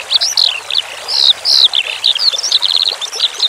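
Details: Eurasian skylark song for training cage birds, with relaxing running water: a quick, unbroken run of high whistled and trilled notes, some swooping, others in fast buzzy bursts, over a steady hiss of flowing water.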